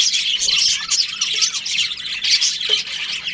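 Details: Breeding-season budgerigars, several birds giving harsh squawks mixed with quick high chirps in a crowded, noisy chatter.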